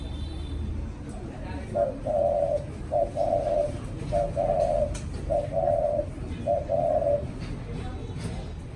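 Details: Hand-reared spotted dove of the 'mã phấn' type, a captive bird now cooing in contests, gives five steady low phrases: a clipped note then a longer, rolling coo, repeated roughly every second, with a faint chirp and light background noise.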